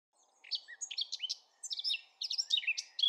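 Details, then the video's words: Eurasian blackcap singing rapid bursts of varied, warbling notes that sweep between mid and high pitch, in three phrases with brief pauses between them. "SONG OF THE BLACKCAP"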